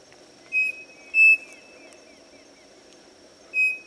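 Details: Striped cuckoo (Tapera naevia) at a farm inn in Monte Alegre do Sul, São Paulo, Brazil, giving clear, pure whistled notes of about a quarter-second each at a steady pitch, over a high insect drone and low hum.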